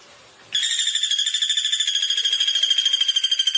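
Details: Common flameback giving a fast, even trill of harsh, ringing pulses, about ten per second, that start abruptly after a quiet half-second and run steadily to the end with no other sounds.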